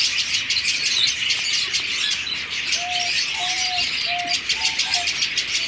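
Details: A breeding colony of zebra finches in a busy chorus, with dense nasal chirps and tweets overlapping constantly.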